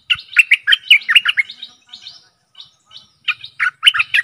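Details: Stripe-throated bulbul decoy song, used to lure aggressive wild birds, recorded 12/12/2021: quick bubbly chirping phrases in dense bursts over the first second and a half, softer scattered notes, then renewed lively bursts near the end; no other sounds.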